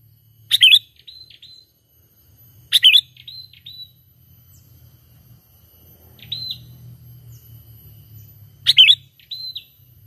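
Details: Natural lure call of a sooty-headed bulbul for bird trapping, no imitated phrases: sharp twisting chirps every few seconds, each followed by a short level whistle, over a soft low rumble.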